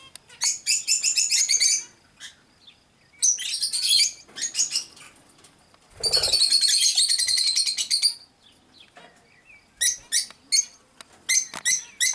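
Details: Cockatiels giving loud grating screeches in long dense bursts and shorter spaced notes, with a low thump of wing or movement noise partway through.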